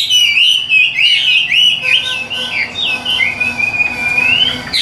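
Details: Loud whistled song from a captive Hwamei: bouncing looped phrases first, then varied slurred notes, ending in a long, steady whistle that climbs slowly upward.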